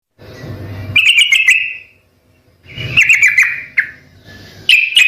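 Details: Sooty-headed bulbul in full, lively song: bubbly, warbling phrases about a second long, repeated after short pauses, with sharp clicking ticks layered over them and a low rumble in the background.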